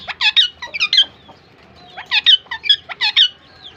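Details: Two pet Pakistan ringneck parakeets chirping at each other as a pair: loud, harsh, squeaky chirps in quick doubled and tripled bursts, with a short quiet gap in the middle before the exchange resumes.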